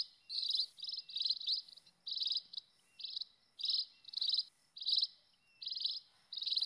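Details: Scaly-breasted munia calling in the wild, a lure sound for munias and other finches: clipped, buzzy high chirps repeated in steady pairs roughly every half second, with faint background hiss.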